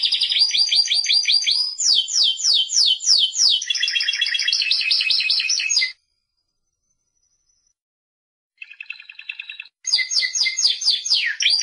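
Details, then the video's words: Spanish Timbrado canary delivering a long run of varied high trills and repeated swooping notes for six seconds, then a silence, a brief mechanical rattling trill, and a renewed burst of fast rolling phrases. "el cante del canario timbrado"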